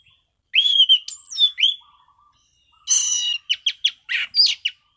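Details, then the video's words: Orange-sided thrush in relaxed ngeplong song, with clear slurred whistles, a gap, then a harsh buzzy burst followed by a rapid run of sharp clipped notes. "Burung Anis Cendana Ngeplong Santai"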